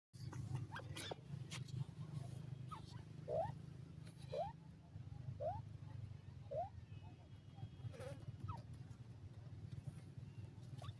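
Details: Newborn grey francolin (teetar) chicks in their first days, exploring a forest: soft, short rising chirps repeated about once a second over a steady low rumbling hum.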